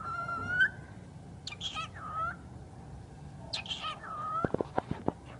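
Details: A talking bird utters speech-like phrases mixing breathy, noisy onsets with smooth, slightly rising tones, followed by a run of sharp clicks or taps near the end.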